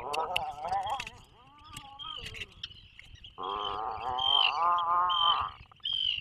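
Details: Atlantic puffin in its breeding burrow off the Maine coast, 2024 season, live camera: short wavering nasal notes, then a long loud trembling moan lasting about two seconds, with a steady high background tone and scattered clicks.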